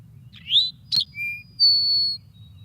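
Eastern Towhee song: a sharp high note, then a clipped lower note, ending in a long, bright, buzzy trill, the classic 'drink-your-tea'.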